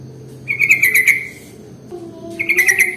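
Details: Lure recording of sooty-headed bulbul: two lively bursts of quick, slurred whistled notes in tight clusters, separated by a pause filled with a soft low tonal drone.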